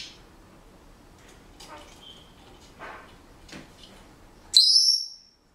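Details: Pet Senegal parrot at home, whistling bars of a song it is learning and making household noises: soft scattered clicks and faint chirps, then one loud, high, slightly wavering whistled note lasting under a second near the end.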